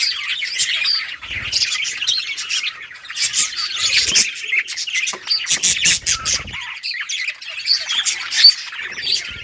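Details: Budgies of bright colours chirping while playing in a colony, August 25, 2023; continuous bright twittering and chattering from many birds, with sharp clicks scattered through the chorus.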